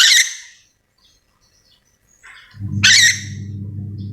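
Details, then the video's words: A calling yellow-and-green lorikeet, locally nuri dora, from Sulawesi: one harsh screech, a quiet gap, then a second rasping squawk as a low hum starts up. "Suara asli nuri dora memanggil"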